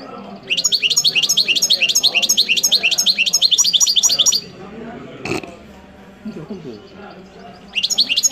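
A European goldfinch sings a fast, bright twitter of high tinkling notes, about three a second. It pauses after four seconds, then resumes, over faint low voices and a single click.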